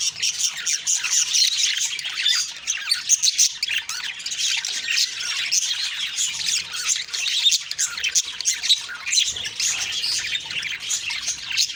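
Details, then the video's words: A group of budgies chirping one morning, October 2, 2023, producing a long, unbroken mix of rapid twitters, squeaks and scratchy warbles. "Beautiful morning birds chirping sounds/Budgie sounds"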